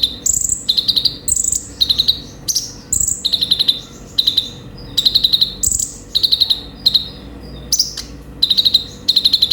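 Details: Konin, or Olive-backed Sunbird, pours out repetitive chattering song: thin, very high whistles followed by fast clusters of clipped chirps, each burst lasting about half a second and repeated regularly over a quiet background.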